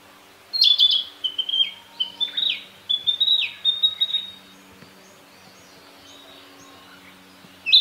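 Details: A Narcissus flycatcher singing among green spring foliage in northern Harima, central Hyōgo, Japan, gives one bright phrase of clear, varied whistles and quick slurred notes lasting about four seconds, then falls quiet as a faint low hum continues.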